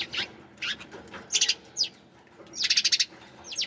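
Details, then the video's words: Sparrows chirping: single sharp high notes, then a fast run of five or six repeated chirps near the end, over faint background noise. "Sparrows Chirping Sound"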